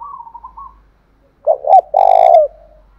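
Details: Spotted dove in thổ pha voice, used to provoke a caged bird into singing: soft wavering higher coos first, then a loud phrase of two short hoots and a long, level, gently falling coo.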